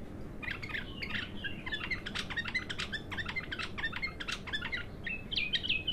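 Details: Untrained bulbul, known locally as abtar, singing in its first outburst of song: a dense run of chirpy whistled notes, many with quick upward strokes, weaving together over a steady low background hum.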